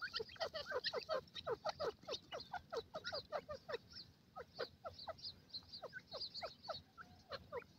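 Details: Gadra teetar francolins, a pair in woodland, trading rapid descending notes; an energetic opening burst thins into spaced, higher-pitched calls later on.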